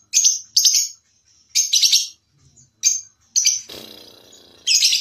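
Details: Lovebird used as a mastering model for competition singing: bursts of high, shrill chirps in ones and pairs, with a brief lower rasping rustle between them.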